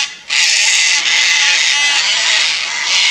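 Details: One sustained, harsh, rasping scream of nearly three seconds from Sulphur-crested Cockatoos, a nesting pair on Queensland's Fraser Coast, Australia, unhappy about a nearby Lace Monitor.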